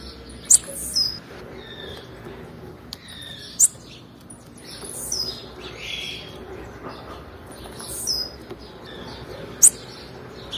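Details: Female blue-black grassquit call, used to stimulate males: short high thin chirps and sharp ticks repeated every few seconds, with faint fainter notes between and a quiet background.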